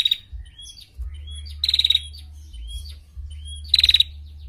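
A female prinia gives two rapid, dry ticking trills about two seconds apart, each of about six high notes, with thin chirps between and a low hum beneath.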